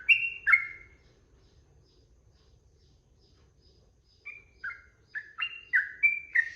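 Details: Sooty-headed bulbul song used to train birds to sing: two loud bubbly notes, a silence, then a quickening series of short slurred notes rising and falling in pitch.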